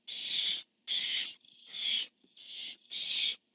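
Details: Male and female barn owl on a nest camera calling back and forth, 10-1-15: five rasping, broadband screeches in quick succession, some nearly running together, with a thin tonal whine between them.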